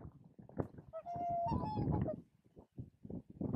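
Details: Whooper swan (Cygnus cygnus) at Spiggie, Shetland, UK, in July 2013: a single drawn-out bugling whoop about a second long, rising slightly at the end, amid low thumping and rumbling noise.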